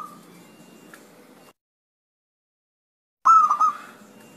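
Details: Zebra dove voice used to prompt lazy doves to answer: a tail of one coo, then after a silent gap a single bubbling, stuttering phrase with quick broken notes, above a steady low hum.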